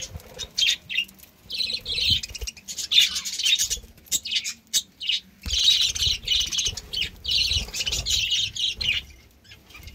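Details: Budgies kept as pets with summer green leaves to keep cool; a busy flock chatter of high, scratchy chirps and warbles in bursts, with short pauses and a low hum underneath.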